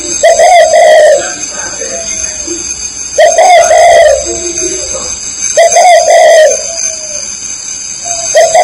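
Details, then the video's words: Spotted dove from Ba Vì, Hanoi, Vietnam, repeating a long, wavering coo roughly every two and a half seconds, each followed by softer trailing notes, over a constant high-pitched electronic hum. "CHIM CU KHÁCH BA VÌ"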